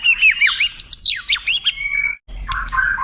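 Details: White-rumped shama song recorded as a tutor for contest birds, with long standout phrases: rapid steep downslurred whistles, a held note, a short gap, then harsher low buzzy phrases.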